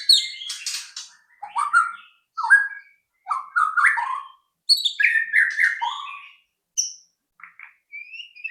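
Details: White-rumped shama song meant to stimulate other shamas to sing: a varied run of loud whistled and chattering phrases, rising and falling, delivered in quick bursts with short pauses, ending in soft thin whistles.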